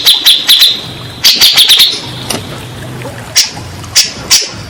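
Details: Grey-cheeked bulbul sounds meant to rouse stressed captive birds: short clusters of quick high chattering notes, then scattered single sharp calls with gaps between.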